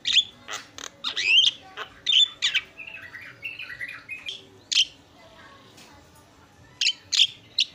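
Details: Javan myna in isian style mixing sharp loud chirps with softer warbled and buzzy notes, broken by a quieter gap before a final few strident calls.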